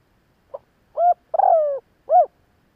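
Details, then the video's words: Spotted dove cooing: a faint short note, then three low, mellow coos, the middle one longest and slightly wavering, falling at the end; a quiet background. "Tiếng chim gáy gọi hay kích bổi nhanh nổi"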